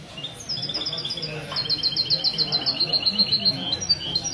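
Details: Goldfinch in mistou style at a Ksar el-Kebir café gathering on 16 February 2020, delivering a quick, evenly paced string of sharp high notes that briefly pause then resume, with people talking nearby.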